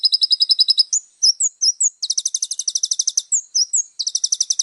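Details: Little spiderhunter in lively full 'isian' song: fast runs of high, clipped chips interrupted by short slurred whistles, then a long, even, rapid high rattle with more whistles between.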